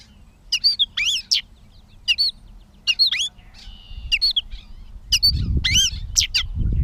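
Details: Catbird in Bowdoinham, Maine, 16 May 2020, stringing together squeaky, sliding notes and mewing chirps in short bursts with gaps, while low rumbling noise builds toward the end.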